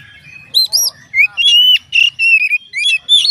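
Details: Oriental magpie-robin singing to prompt other magpie-robins to join in, a string of loud clear whistles, slurred upward notes and short squeaky phrases repeated about every half second.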